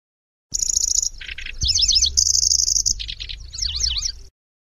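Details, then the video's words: Lanceolated warbler in long-duration chattering song: a high thin reeling buzz, a lower coarse rattle, then rapid zigzag whistled notes, another sustained reel and a stuttering burst, with a low rumble underneath. "Suara Burung Kecici Belalang | Nyecret Durasi Panjang"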